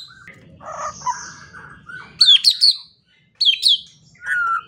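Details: White-rumped shama training song for morning and evening, soft warbling notes, then two pairs of loud sharp high notes separated by a pause, ending on a steady whistle.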